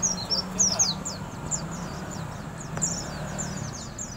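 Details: Oriental white-eye in the morning giving a rapid, high, thin twittering of short sliding chirps, several notes each second, over a low steady hum.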